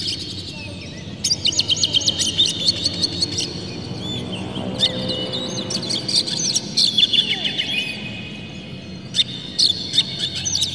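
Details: Oriental magpie-robin delivering a full, varied song with its tail spread, played to provoke other magpie-robins: bursts of quick, high chirps and slurred whistles separated by short gaps, with faint background noise.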